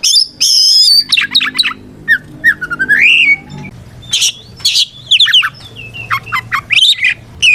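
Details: White-rumped shama fighting song, meant to challenge rivals and make silent shamas answer: a long high whistle, stuttering sharp notes, a lower rising whistled slur, then scattered bright chips and trills, with a faint low hum.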